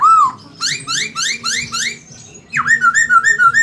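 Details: Chinese hwamei singing vigorously with a magpie-robin fill-in: a run of five bright, rising whistled slurs, then a dipping note and a string of quick, even whistles. Faint low background hum throughout.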